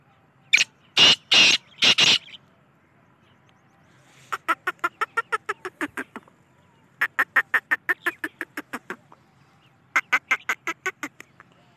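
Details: Black francolin, also called kala teetar or black partridge: three loud, harsh, grating notes in quick succession, then three long runs of rapid dry clicking pulses separated by short pauses, with a quiet background.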